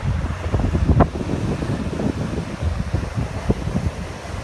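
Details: Strong wind buffeting the microphone over rolling surf on Hatteras Island, with no animal calls audible.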